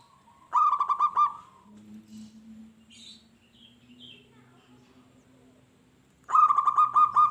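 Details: Local zebra dove singing, used to provoke wild doves into answering aggressively: two short bursts of rapid, staccato cooing notes, separated by a quiet stretch with a faint low hum.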